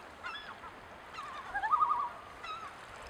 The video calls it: Cri du Plongeon huard/Call of the Common Loon